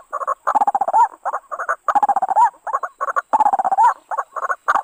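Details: White-breasted waterhen (ruak-ruak), a trapping lure: bursts of rapid, gurgling, croaking chatter in three long runs, each ending in a rising squeal, separated by short stuttering phrases.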